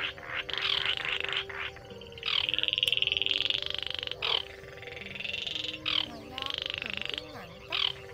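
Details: Baillon's crake calling after dark with long, even rattling trills lasting one to two seconds, broken by sharp louder notes, while frogs croak and insects drone beneath.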